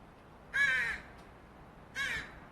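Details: Northwestern crow fledgling begging for food, two loud hoarse nasal caws about a second and a half apart, each harsh and drawn out slightly, with quiet background between.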